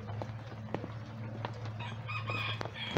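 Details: Backyard chickens at a rescue sanctuary, free ranging during a light rain shower, some hunting worms; a rooster crows in a drawn-out, harmonic call late in the clip over steady rain patter and a low hum.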